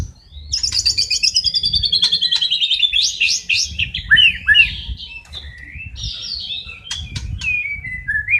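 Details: White-rumped shama singing vigorously on training material mixed with sparrow, lovebird and kapas tembak fills: a long descending rattling trill, then rich varied whistles and quick slurred notes fading into softer phrases, over a low background rumble.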